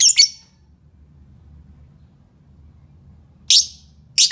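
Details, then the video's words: Lovebird sounds used to prompt other lovebirds into singing: three harsh, shrill chirp bursts, one at the start and two close together near the end, separated by a long quiet gap. "Suara burung lovebird cocok untuk pancing lovebird"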